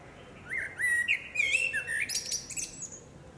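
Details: Female blackbird singing among trees, with a flowing series of fluty, looping whistles rising and falling, finished by a scratchy high twitter.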